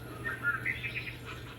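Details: Least Bittern giving a quick, frenetic run of short, fairly high notes, several in just over a second, much higher-pitched than the American Bittern's deep booming, over a steady low electrical hum.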